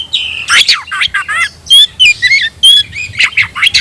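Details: Caged oriental magpie-robin singing in the new 'tayoraky' variant style. Loud, varied phrases of sharp whistles, harsh squawks and buzzy notes come in quick bursts. Short pauses separate the phrases.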